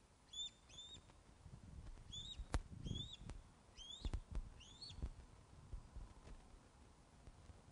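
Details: Ospreys at the Loch of the Lowes nest during a fish delivery, webcam recording from 21 August 2012, 16:35. Short whistled calls, often in pairs, rise and fall, mixed with knocks and handling noises at the nest.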